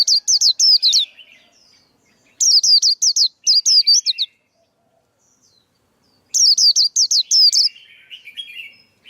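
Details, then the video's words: Male white-eye singing to train young birds and lure others into traps: three bursts of fast, high, looping whistles, six to eight notes each, with soft buzzy warbles and silent gaps between. "KHUYÊN TRỐNG. Tiếng chim khuyên kích bổi, kích trống, luyện giọng bổi, bẫy khuyên"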